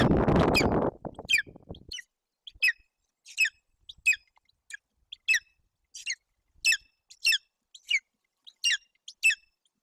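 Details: Golden eagle chick (eaglet) at a nest in Bucovina, Romania, June 8, 2021, with an empty crop and apparently hungry, giving thin, high, downslurred begging cheeps about every half second after low rumbling; its mother brought a roe deer fawn and began feeding.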